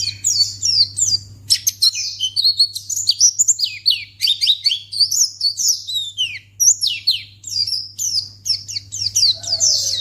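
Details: White-eye sound played to provoke other white-eyes into answering: a long, lively run of high, sharp chirps and quick slurred notes, nearly continuous, with a faint lower whistle at the close and a steady background hum.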